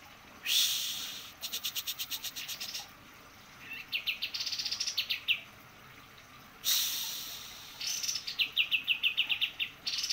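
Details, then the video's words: White-eye singing energetically. Bursts of harsh, buzzy rattles alternate with quick series of high, sharp chirping notes, repeated in two similar phrases over about ten seconds. "kapas tembak gacor"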